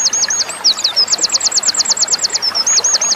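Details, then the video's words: Winter Wren song meant as tutoring material for small cage birds: brief high passage of quick repeated chipping notes forming a fast, even trill, broken by a short squeaky twist. "Suara winter Wren masteran burung kecil, pleci, konin dll"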